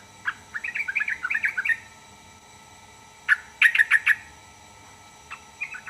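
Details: A yellow-vented bulbul sings a bubbling warbled phrase, then after a pause gives a burst of four or five sharp, clipped chip notes, followed by a few softer notes.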